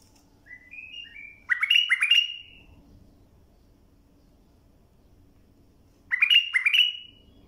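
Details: Bulbul song for teaching young birds to sing. Gentle rising whistles build into a loud, rippling phrase. After a long quiet stretch with a faint hum, the phrase is repeated.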